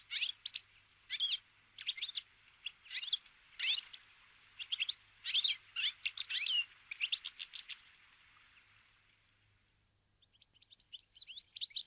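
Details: A flock of Bramblings, winter visitors feeding on sunflower seeds, gives bright, chirping calls in quick overlapping bursts, pauses briefly, then a thinner run of high notes near the end.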